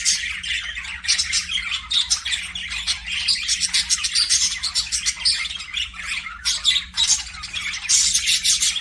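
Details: Aviary budgerigars, kept as pets, chirp in a dense warbling chorus of rapid scratchy notes and high squeaks, steady throughout with a few louder peaks.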